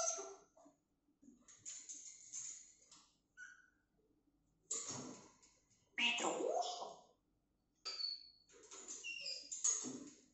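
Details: Pet female grey parrot alone in her cage at home while the owners are away: scattered squawks, chatter and short whistles in irregular bursts, including a brief high whistle near the end, with quiet gaps between phrases indoors.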